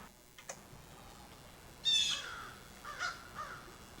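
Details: An American Crow in a backyard gives a location call, meaning it has just moved and is announcing where it is: one short, harsh, raspy note, then two softer clipped notes a second later. Blue jays call back and forth in the background over a steady low hiss.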